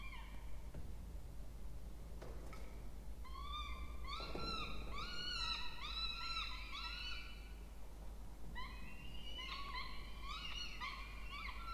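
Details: Peregrine falcon nestlings, two, begging at feeding time, nest box in a water tower at Charles Sturt University, Orange, New South Wales, Australia, 20 October 2024; soft knocks, then a dense run of rising-falling wails, a brief lull, then more whining.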